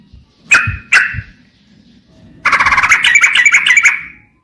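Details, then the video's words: Song of a yellow-vented bulbul, used to make other birds respond and sing. Two separate sharp calls, a quiet pause, then a fast, busy chattering sequence of bright notes lasting about two seconds over faint low background noise. "suara pancingan TRUCUKAN 💯% langsung bunyi"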